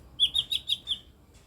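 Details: Five rapid, high, clipped chirps in under a second from an eight-year-old mini blue-winged leafbird known for strange sounds.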